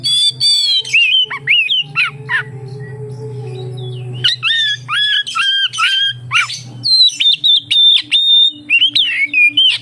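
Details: Oriental magpie-robin song used to lure others of its kind into singing: clear whistled phrases with downslurred notes, a pause filled by low droning, then a fast sequence of short sharp whistles.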